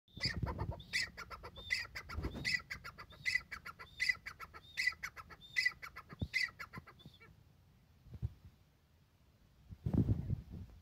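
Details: Breeding pair of grey francolins calling: loud harsh ringing notes repeated roughly twice per second for about seven seconds, then silence broken by a few knocks and low thuds.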